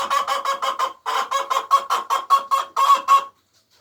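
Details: Hen laying eggs gives a loud egg song of harsh, rapid clucks grouped in short runs, about three per second, stopping cleanly after three seconds.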